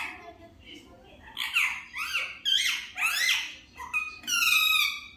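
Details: Pet Indian ringneck parakeet talking: quick, squeaky, speech-like syllables with sliding, nasal tones in short bursts, and a final longer buzzy phrase, indoors.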